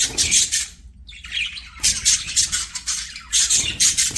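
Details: Budgies singing while playing, a run of harsh, buzzy squawks and warbled chirps in rapid bursts, pausing briefly about a second in before the chatter resumes.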